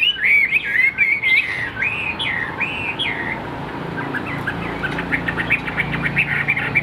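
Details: Caged hwamei, tam hoàng variety, singing in the afternoon: a clear sequence of looping, bouncing whistles, then quieter rapid stuttering notes, with faint traffic rumble behind.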